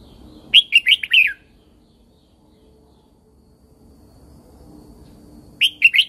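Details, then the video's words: Red-whiskered Bulbul, a caged bird from Thailand, whose song is used to stimulate and train other birds. Two short warbling phrases of four or five clear, bouncy whistled notes, separated by about four seconds of quiet. "เสียงนกกรงหัวจุก สำหรับต่อ หรือ เปิดให้นกคึก เสียงเพราะๆ"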